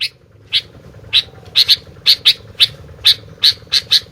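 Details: Sooty-headed bulbul giving a steady series of loud, clear chirps, some doubled, spaced about every third of a second, over a soft constant background hum.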